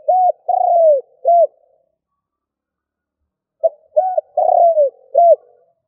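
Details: Spotted dove used as a lure, cooing in the stuttering 'gù cà lăm' style. Two phrases about three and a half seconds apart. Each has clipped low coos around a drawn-out descending note. No other sounds.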